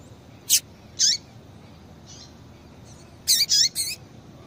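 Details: Call of a female double-collared seedeater, played to excite males: sharp high chips with downward-bending tails, two early notes, a faint pause, then three quick chirps close together.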